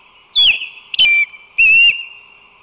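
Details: At a crane nest on San Francisco Bay during incubation, late April 2024, an osprey gives three loud, clear whistled chirps. Each note starts high and slurs downward, and the notes are spaced about half a second apart against a constant background hum.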